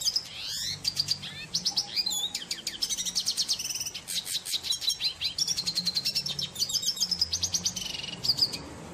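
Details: A red siskin (Spinus cucullatus) sings outdoors in a long, fast run of high twittering, buzzy trills and chattering notes without pause, with a faint low hum underneath.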